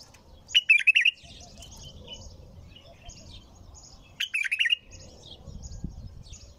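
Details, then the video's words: Two quick warbled song phrases from a bulbul, roughly three seconds apart, with soft high twitters and a low murmur of background noise between them. "تغريد بلبل طور بدون توقف"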